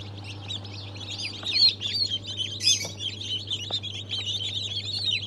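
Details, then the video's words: Fresh hatch of Brahma, Fizan, Australorp and Legbar chicks on 3 March 2023: continuous shrill, overlapping peeping from many chicks, a few louder piercing peeps standing out, with a steady low hum behind. "Yeni Civciv Çıkımı"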